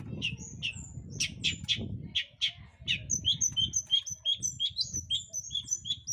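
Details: Long-tailed shrike song, used to provoke other birds into singing: several coarse chattering notes give way to a quick run of thin, high whistled and chirping phrases, with steady low rumbling behind.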